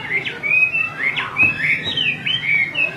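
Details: Female Chinese hwamei calling over and over, stirring up a restless male: a run of bright whistled notes, some sweeping down and others arching, given at about one per second against a faint low hiss.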